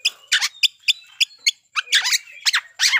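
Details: Oriental magpie-robin lure song used to provoke rival birds to fight: loud, sharp clicking notes repeated about every third of a second, then harsh chattering, buzzy bursts and slurred whistles.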